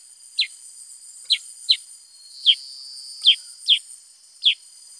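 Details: Black-headed bulbul in vigorous voice: seven bright, falling chirps, some in quick pairs, over a continuous high electronic-like whine.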